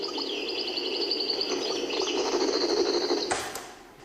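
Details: A caged European goldfinch in Algiers, Algeria, sings a rapid run of bright, liquid twitters and tinkling trills, described as improvising and perfecting its song; old recording with a steady hum and a clatter near the end.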